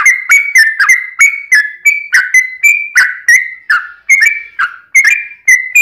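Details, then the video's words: Yellow-vented bulbul in long rapid song, meant to provoke other bulbuls into singing; a continuous sequence of liquid, slightly buzzy whistled notes, each opening sharply, runs throughout at an even quick pace. "trucukan gacor ROPEL PANJANG buat pancingan trucukan agar bunyi"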